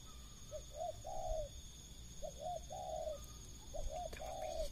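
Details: Spotted dove heard at 5 pm after rain as wild birds come down to a decoy. Three clear coo phrases about 1.5 seconds apart, each with short rising lead-in notes and then a longer, level, hoarse coo. Faint steady hum in the background.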